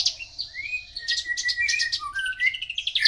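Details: Javan bush lark singing without pause: rapid high chirps mixed with clear whistled notes that slide and step downward, then quick repeated twitters, over a faint constant low hum.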